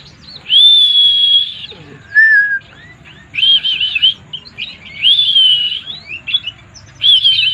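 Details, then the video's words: Energetic 'mabuk' (drunk) song of a white-eye: long steady whistles alternate with a lower falling note and rapid chirpy, warbling flourishes, with bursts coming about every one to one and a half seconds. "burung pleci mabuk"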